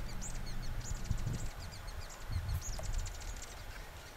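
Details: A male Peruvian Sheartail sings to a caged female before his shuttle display and dives, Azapa and Vitor valleys, Atacama Desert, far northern Chile, September 2010. He gives thin, very high squeaky chirps and ticks in quick bursts over a low rumble.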